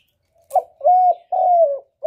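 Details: Spotted dove cooing, a recording used as a lure for trapping and to stir up captive doves: a short clipped note, then two long, low, hollow coos, the last slightly falling, in a quiet setting, with a fourth note starting at the end.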